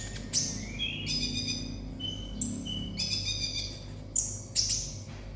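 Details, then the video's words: Olive-backed sunbird with 'konslet' song: high ringing notes and rising whistles come in bursts, with a few sharp, very high chirps near the end over a low hum. "konin konslet"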